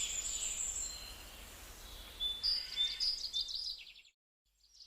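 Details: Gouldian finch, quiet at first, with soft high hiss and a thin whistle, then a burst of buzzy rattling notes and sharp whistled tones around mid-clip. The sound breaks off into near silence, then a faint buzz.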